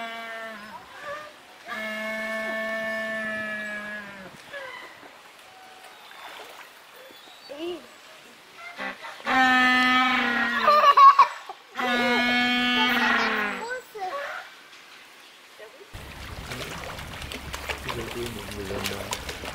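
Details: African (jackass) and Humboldt penguins give loud, harsh braying calls with a buzzy, donkey-like tone in several long bouts.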